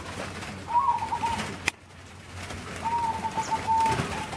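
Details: Zebra doves (perkutut) kept at a breeding farm in Tanuharjo, Aliyan, Kebumen, Central Java, giving two level, finely trilled cooing phrases with one sharp click between them, over steady low background hum.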